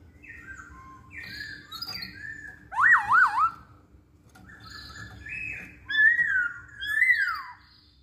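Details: Masked laughingthrush singing as a lure to prompt other songbirds to sing: sliding whistled phrases alternating with loud wavering, looping notes that rise and fall like a siren, over a low steady hum.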